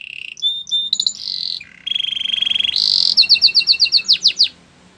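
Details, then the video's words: Belgian canary song for training canaries: varied phrases of short notes, a steady rolling trill, a harsh buzzy burst, then a fast run of clipped repeated notes. "Canary songs for training | Belgian canary singing"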